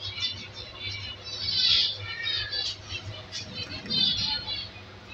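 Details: Captive zebra finch chicks from an undersized aviary pair that raised five young give scratchy, hissing high begging notes in short overlapping bursts. A constant low hum runs underneath.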